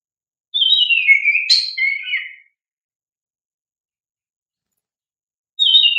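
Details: Kacer, the oriental magpie-robin, singing a lure song meant to prompt young birds to respond: one long phrase of downslurred whistles with a sharp high note in the middle, then a pause and a new phrase beginning.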